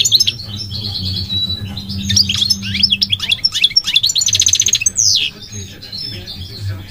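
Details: Goldfinch song of tumbling twitters and slurs leading into a fast buzzy trill and a final falling note, with a low hum underneath.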